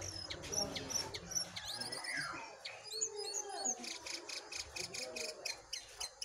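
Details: In a contest between a wild and a caged Brown-throated Sunbird, sharp high chirps and quick upward-curving whistles come in bursts, with a soft falling glide early on and a rapid ticking passage toward the end.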